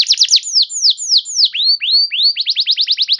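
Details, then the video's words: Canary singing as a lure to prompt silent canaries to sing: fast high chips, then slower falling whistled sweeps, rising slurs, and a closing rapid run of repeated notes. "Pancingan Burung Kenari Macet Bunyi! Ampuh Bikin Kenari Lain Langsung Respon Terpancing bakal Gacor"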